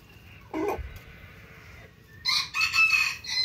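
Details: Rooster crowing in the morning, the crow starting about two seconds in as a loud harmonic phrase with several pulses, preceded by a brief lower sound and faint background noise.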